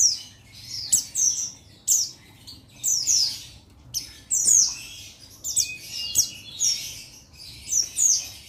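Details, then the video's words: Lively sequence from a male buxtoni Oriental white-eye calling out a rival: many rapid, high, falling chirps and twittering trills, nearly continuous across the stretch. "Buxtoni Memanggil Lawan Memancing Bunyi Jantan"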